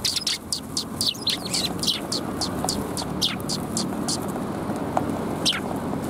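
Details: Group of fluffed Eurasian tree sparrows, 1 February 2021, with a dense rapid stream of high chirps that thins out after a few seconds, over steady low-frequency background noise.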